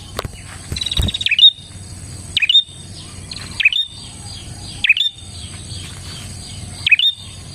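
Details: Bar-winged prinia lure song: after a brief clatter at the start, five swooping chirps with high flicked endings follow at uneven intervals of about one to two seconds, over low background noise.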